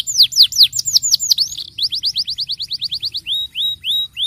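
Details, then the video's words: Starblue canary, a caged bird, singing a fast rolling song meant to lure young canaries into singing: rapid descending whistled sweeps, then a steady series of rising whistled notes repeated about every quarter second. "kenari starblue gacor ngeroll ampuh unultuk pancing bunyi kenari muda"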